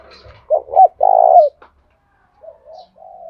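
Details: Spotted dove decoy calling to attract other doves: a couple of short hooked coos and one long grainy coo, followed by quiet soft murmuring notes, with faint low rumble at the start.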